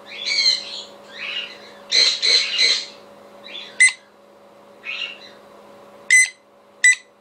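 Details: A pet conure gives harsh, raspy squawks in a burst of several, then three sharp, piercing screeches about a second apart, responding to a played recording of another conure screaming, over a steady electrical hum.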